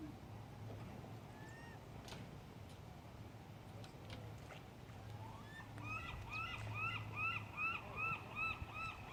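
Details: Gulls basking in the sun at Keyport, Washington: a few scattered calls early on, then a rapid run of harsh, arched, evenly repeated notes over the last three seconds, set against a steady low rumble like an engine.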